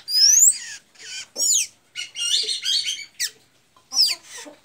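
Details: Blue-gray tanager singing in Santa Inês, Maranhão: bursts of high, squeaky, sliding notes and quick twitters. Each phrase lasts under a second, with brief gaps between, repeated about five times.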